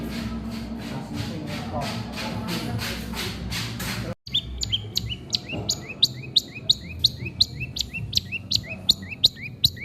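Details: Long-tailed shrike singing while feeding: after a few seconds of rhythmic background clatter, a steady series of short, sharp upswept chirps follows, roughly three per second.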